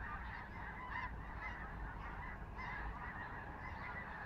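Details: Geese, most likely snow geese, flying overhead in an unusually large formation in Skagit Valley, Washington State, Pacific Northwest; repeated honking calls overlap continuously over a steady low rumble of background noise.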